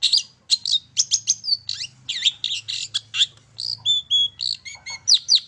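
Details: Long-tailed shrike singing, played to prompt other birds to sing: a rapid run of rasping chatters mixed with clear sliding whistles and brief mimic-like notes, delivered without pause.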